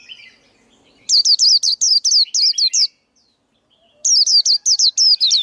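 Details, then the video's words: A male white-eye's song for coaching young birds and luring them into traps: two bursts of about eight sharp, high chirps each, with a clean silence between. "KHUYÊN TRỐNG. Tiếng chim khuyên kích bổi, kích trống, luyện giọng bổi, bẫy khuyên"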